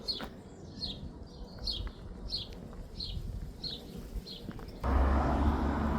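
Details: House sparrows, many roosting in a beech tree, give bright repeated chirps about one every half second over low traffic rumble; a sudden rush of vehicle or wind noise ends the clip.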